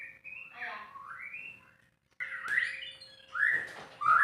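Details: White-rumped shama, a caged bird, singing unedited: clear whistled phrases sliding up and down, a short pause near the middle, then louder rich whistles; a steady faint electrical hum underneath.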